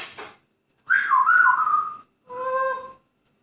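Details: Captive grey parrot whistling cheerfully indoors: a long, wavering tonal whistle lasting about a second with a slight dip and rise, then a second lower, steady whistle, preceded by a brief noisy squawk.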